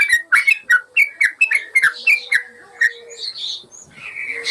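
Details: Yellow-vented bulbul song used as a master recording to train caged birds: a rapid run of bubbling, whistled notes in quick pairs, then softer warbled phrases near the end.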